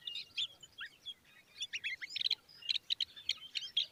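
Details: Common babbler (Argya caudata) young standing by their mother give begging calls: high, squeaky chirps and short trills in quick, overlapping bursts, several notes each second.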